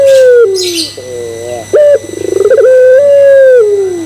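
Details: Barbary dove (puter pelung) cooing as a lure meant to set other doves cooing: a falling opening note, a wavering mid note, a sharp clipped high note, a fast rising stutter of pulses, then a long level coo sliding down. Brief high chirps early.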